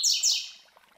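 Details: Fragment of a master Coleiro's classic Tui Tui Zel Zel tutoring song: two loud, sharp, high notes sweeping steeply downward, then a fading echoing tail.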